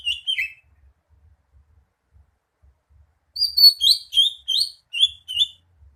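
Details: Greater green leafbird song: a brief descending whistle, a short gap, then a lively run of bright, slurred whistled notes repeated about seven times in quick rhythm.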